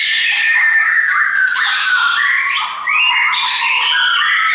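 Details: Several pet shamas sing at once, producing a dense, overlapping wash of whistled and warbled notes with a brief lull midway.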